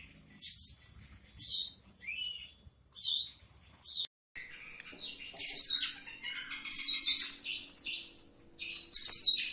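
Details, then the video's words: Oriental magpie-robin in a rolling song full of mimicked fill-ins, meant to stir up other magpie-robins: short bursts of high chattering and whistled slurs, with brief pauses, gathering into denser, louder phrases toward the end. "ngeroll ngeluarin isian, 💯 Efekti buat pancing emosi, dongkrak 🐦 burung kacer"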